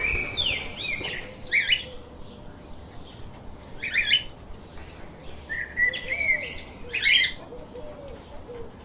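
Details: Pet lovebirds chirping: scattered bursts of sharp, squeaky high chirps and short whistled notes every second or two, over a steady low background rumble.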